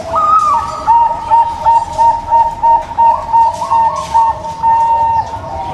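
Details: Local zebra dove song used as a lure for a zebra dove that stays silent: a higher opening coo followed by a long, regular series of soft, beaded cooing notes, roughly three per second.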